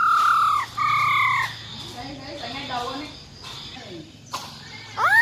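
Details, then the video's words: Wild-type song from a female silver-eared laughingthrush, used to rouse males. Two strong, level whistles open the passage, followed by quieter wavering low notes and a rising slur at the end. "Tiếng Chim Khướu || Khưới Mái Bạc Má RO RO || Giọng Rừng Hót Chuẩn - Kích Trống Lên Lửa Cực Nhanh"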